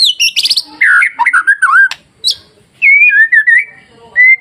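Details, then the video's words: White-rumped shama masteran song used to rouse other birds into singing, opening with rapid high chattering trills, then rich slurred whistles dipping and rising, a sharp click, and a final run of warbled whistled notes. "SUARA MASTERAN KICAU MURAIBATU Pancing Murai Lain yang Takut Jadi Emosi dan gacor"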